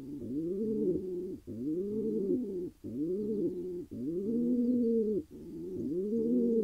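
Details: Rhythmic low cooing from a wild male pigeon in Israel after he found a mate; arched notes follow one another about every second and a half, nearly continuous.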